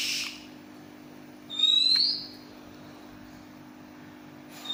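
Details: Oriental magpie-robin, a privately owned bird described as having a most unusual voice and singing continuously (ngacor), gives a single clear whistle rising steeply to a high pitch. A brief hiss comes before it and another at the end.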